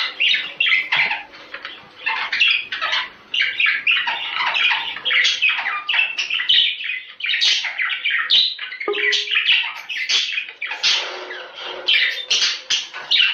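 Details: Budgerigars' breeding-stimulation sound: unbroken, busy warbling of quick chirps, squeaks and harsh squawks, stacked closely together at steady loudness throughout, with a faint low hum beneath.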